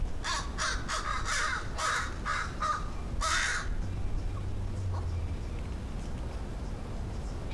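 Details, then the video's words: Talkative crows calling outdoors, noted for warbles and strange sounds: a rapid run of about eight harsh, ragged caws in the first half, then fading into quiet background rumble. "Crows sure make strange sounds"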